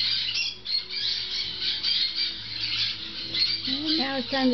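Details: Six-week-old Grey-cheeked parakeet (Brotogeris pyrrhoptera) chicks, several, keep up a dense, harsh, high squawking chatter while munching fresh food, with a woman's voice speaking over it near the end.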